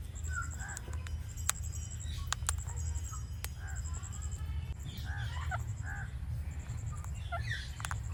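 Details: Natural clicking from an Indian ringneck parakeet: several crisp isolated clicks spaced roughly a second apart, then soft short chirpy notes, all over a constant low droning hum.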